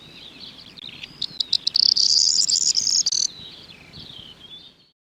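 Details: A corn bunting near wheat and barley fields in the West Sussex countryside sings a high, dry, jangling song lasting about two seconds: a few spaced ticks speed up into a rattle, with faint background hiss.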